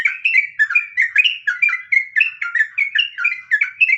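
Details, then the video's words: Trucukan (sooty-headed bulbul) giving a long ropel-style outpouring of liquid whistled phrases. Short notes rise and fall in quick succession, roughly four a second, over a clean, quiet background. "suara asli burung trucukan, trucuk nggaruda ngropel"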